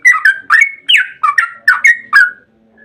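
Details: Short burst of Yellow-vented bulbul 'ropel' song, a lure for bulbuls: loud, throaty whistled notes in quick pairs, slurring down and up, ending abruptly into quiet.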